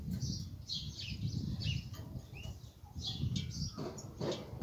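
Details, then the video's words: A goldfinch hybrid (mule or hybrid of a goldfinch) sings a quick run of thin twittering notes and short trills, high and varied, over a steady low rumble of room noise. "هجين طائر الحسون,يبدع بالتغريد الجميل"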